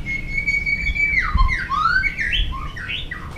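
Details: White-rumped shama giving a fighting song: a long level whistle, then sliding, swooping notes that dip and rise, over low background rumble and thumps.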